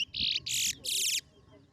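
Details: Chestnut-bellied seed finch, locally called towa towa, singing in a competition: three loud, harsh, buzzy high notes in quick succession, the last longest, with a voice counting numbers nearby.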